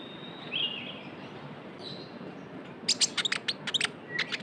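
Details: Young Javan white-eye lure call: faint, hissy high notes at first, then a sudden burst of sharp high chirps in quick irregular clusters near the end, over steady background hiss.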